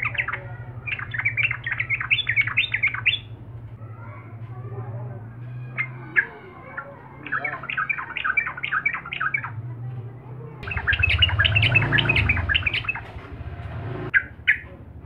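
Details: Sooty-headed bulbul in vigorous song meant to rile rivals: bursts of fast, bubbly chattering notes in several runs separated by pauses, over a steady low hum, with a louder rumbling noise midway.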